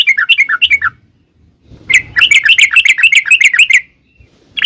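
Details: Sooty-headed bulbul in a long rapid 'ropel panjang' song used as a lure to draw other bulbuls into answering. Bursts of bubbly, chirping notes with a brief quiet gap, then a dense run of quick notes.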